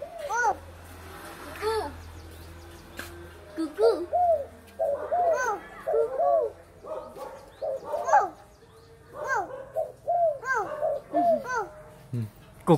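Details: Dove cooing in the style called gù khách: soft, low, arched coo notes in short clusters with pauses between, over a faint hum and background noise.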